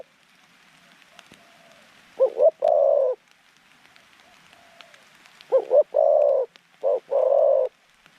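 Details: Zebra dove decoy with a mid-range voice, calling wild doves toward a trap enclosure: two clipped notes and a long trilled coo, then the phrase again with an extra rolling coo, in quiet surroundings.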